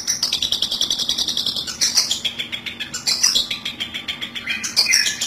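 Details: Long-tailed shrike call used to lure birds into traps: rapid, rhythmic, scratchy notes with intermittent squeaky, rising and falling phrases and a constant low hum beneath.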